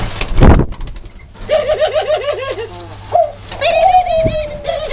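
A dove gives low, wavering coos, a quick rolling series followed by a longer drawn-out coo, with a thump and faint room noise.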